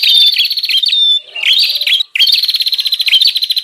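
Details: Lure call of a bar-winged prinia for wild birds: harsh rapid pulsed trills with whistled notes, a short dip in the middle, then the vigorous rattling resumes.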